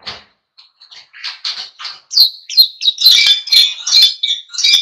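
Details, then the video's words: Oriental white-eye (pleci) singing to provoke other birds into song; soft scattered chirps building into a louder, dense run of high twittered notes. "SUARA PLECI GACOR NGALAS PANCING EMOSI BURUNG LAIN IKUT GACOR"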